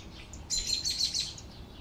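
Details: Canary singing: a high, buzzy, rapid trill of tightly packed notes, lasting under a second, set against faint background hiss.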